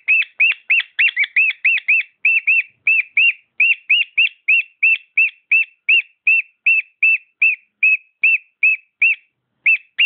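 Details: A pet cockatiel sings a steady series of clear, arched whistled notes, about three per second, quickening at the start and then evenly spaced, with a quiet background.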